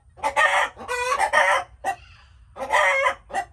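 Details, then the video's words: Loud raspy cackles from chickens, two long harsh bursts, a short note, then another drawn-out squawk. "Chickens making noises"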